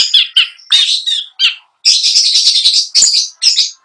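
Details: Caged long-tailed shrike singing imitated phrases: a few scratchy chirps, then a long harsh churring rattle and bright high notes to close.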